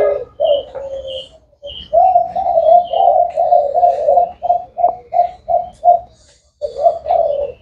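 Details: 'Thái hậu' spotted dove: a long run of low rolling coos that breaks into evenly spaced single notes, then pauses and resumes, with a few faint high chirps early on.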